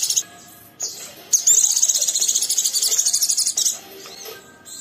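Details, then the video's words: Oriental white-eye in rough chattering song meant to prompt a companion to sing: a long, fast, buzzy high-pitched trill of many pulses over about two seconds, with a low steady hum underneath. "Burung Pleci Muda Gacor merangsang Pleci Bahan ikut Ngeriwik Sampai Buka paruh"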